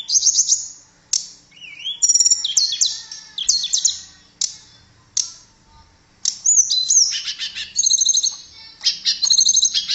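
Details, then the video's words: Tledekan, a blue flycatcher, in full melodious song: nearly continuous high warbled phrases mixing clear whistles, upslurred notes and rapid trills, broken by brief silences, no other sounds. "Kicauan Merdu TLEDEKAN Keren"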